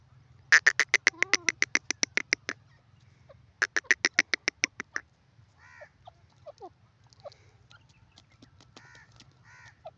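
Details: Female grey francolin (dakhni teetar), jungle type: two bursts of rapid, sharp, clipped notes, about a dozen each, then softer scattered arched calls over a low steady hum.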